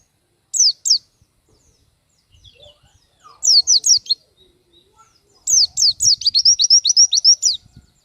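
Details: Actively singing Oriental white-eye (pleci), recorded to tutor other birds: a couple of sharp downslurred notes, then a short cluster of them, then a long quick run of high, wavering whistles close to four per second.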